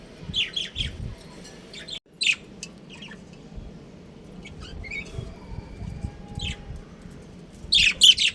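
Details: Budgerigar colony chirping: short bright chirps and squeaky notes in scattered bursts, some clustered near the start and a louder flurry at the end, over a low steady background hum.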